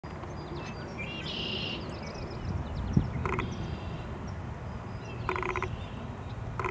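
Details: Red-bellied Woodpecker drumming in the background by the east branch of the DuPage River, Churchill Woods Forest Preserve, on May 2, 2015: short, rapid rolls of taps a second or two apart over a steady low rumble and a few thin bird notes.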